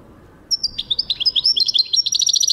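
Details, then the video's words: Goldfinch song recorded in 2023: a lively, unbroken stream of high tinkling twitters and whistles that speeds into a rapid, evenly repeated chattering trill. "goldfinch singing chardonneret jilguero singing"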